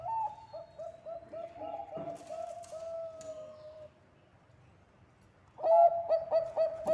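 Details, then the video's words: Bangkok-type zebra dove singing as a lure. Irregular warbled cooing notes fade into a short quiet pause, then a loud burst of rapid staccato coos returns. "Perkutut bangkok gacor suara ampuh untuk pancingan...!!!"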